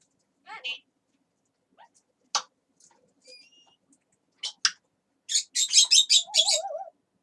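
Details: Talking pet parrot producing soft babbled syllables, thin rising whistles, then a rapid run of about seven harsh squawky notes ending in a trilled warble.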